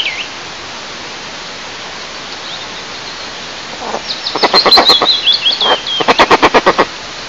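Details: Eastern imperial eagle pair, male and female, at their nest about 20 m up during incubation in Lower Kama National Park, Tatarstan, Russia, 15 May 2024; a quick run of low, hoarse barking notes, with a high twittering songbird above.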